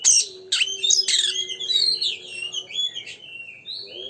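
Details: Singing oriental magpie-robin, used as a lure to get another bird singing, delivers scratchy, varied phrases mixed with sharp whistled notes in a continuous flow, against a low steady hum.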